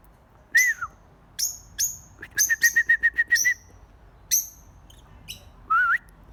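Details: Several birds call: sharp high chirps, then a quick series of about eight short, evenly spaced whistled notes, more high chirps, and a final rising-falling whistle.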